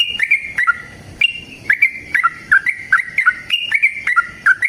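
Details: Long fighting song of a sooty-headed bulbul, used to set other bulbuls singing: bright whistled notes alternating higher and lower, each with a quick downward slur, repeated rapidly and evenly throughout.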